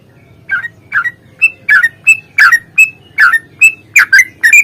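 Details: Yellow-vented bulbul lure of the long, rapid 'ropel' fighting style, used to stir birds to sing; steady run of clipped, buzzy notes with brief whistled accents, roughly a dozen bursts repeated every third of a second, with faint low hum.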